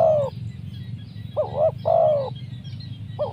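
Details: Spotted dove, used as a lure for wild doves, in a 'mersik' voice. Clear mellow coos: a drawn note, then a short bowed coo and a longer descending coo, with a soft low hum behind.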